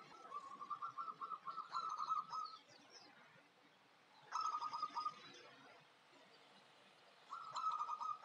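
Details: Local Javanese zebra dove, a young bird described as bold and fit for contests, giving bursts of rapid purring coos near one pitch, repeated in three bouts, with faint chirps of other birds in the background.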